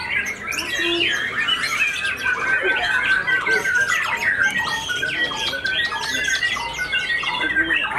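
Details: White-rumped shama (murai batu), just out of moult, with white tail feathers, singing in fighter style at a contest where it won first place; dense, rapid run of varied whistled and chattering phrases, overlapping notes throughout.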